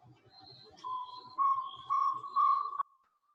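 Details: Jungle Owlet giving its loud, barbet-like trill, fast and mellow, that starts quietly and swells louder in steps over about two seconds before cutting off.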